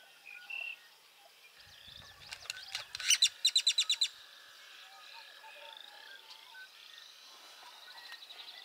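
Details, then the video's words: Great-tailed grackle at Burrows Pond in Sac County, Iowa: a fast series of about eight loud, dry, clicking notes in roughly a second, against a background of faint chirping from other birds. "Great-tailed Grackle"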